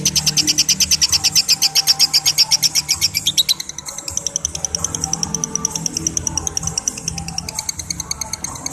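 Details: Long-chatter 'ngekek' of a lovebird, loud rapid ticking notes for roughly three and a half seconds, then a quieter, looser continuation of the high-pitched rattle.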